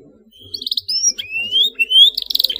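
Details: Canary in excited, emotional song: thin whistled slides rising and falling between high notes, short buzzy trilled bursts at the start and end, soft low murmur beneath.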